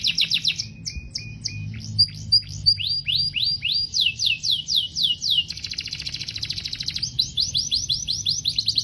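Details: Singing canary delivering varied tours: quick high chips, a sequence of descending swooped whistles, a dense rolling trill, then more swooping notes, repeated several times a second, with a low hum in the background.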